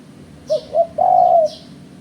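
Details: Spotted dove call played as a lure for bird trapping: two short rising coos followed by one long, steady, hollow coo, with faint high chirps from another bird above.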